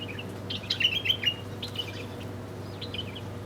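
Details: Small birds chirping while feeding: short high chirps and trills in a cluster around the first second, then scattered fainter chirps, over a steady low hum.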